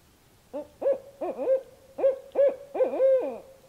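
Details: Two barred owls calling at night at a camp in north central Kansas, calls believed to be of a mating nature; a quick series of about seven rising-and-falling hoots, ending in a longer drawn hoot.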